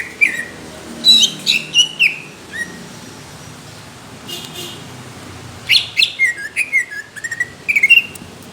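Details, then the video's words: Greater green leafbird giving coarse, thick competition-quality song: clusters of loud slurred whistles with sharp falling notes, separated by a quiet gap, then a renewed burst of rapid whistled phrases. "CUCAK IJO INCARAN JURI | TEMBAKAN KASAR DAN TEBAL"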